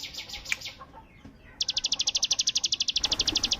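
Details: Bar-winged prinia in active full song, delivering a 'tembakan bren' machine-gun burst: after scattered higher chirps, a rapid high trill of evenly repeated sharp notes starts midway and runs steadily to the end.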